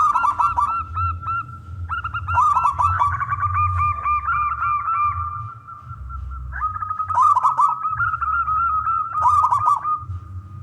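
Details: A male local zebra dove (perkutut) sings continuously, used to lure other doves into calling: a rapid series of clipped, ringing cooing notes with a steady tone, several per second, with brief pauses between bursts.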